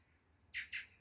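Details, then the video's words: Two Oriental magpies calling to each other face to face in the early morning near Samcheok, Korea, in June; three harsh, broadband rasping notes in quick succession, about a fifth of a second apart, over quiet background. "소리가 청량하죠? 까치 소리 한번 들어보세요."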